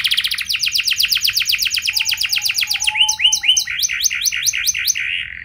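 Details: A canary sings a 'cengkok mewah' lure song with long trills to set other canaries singing: a rapid roll of descending notes, then bright upswept whistles repeated several times a second, with a faint low hum behind.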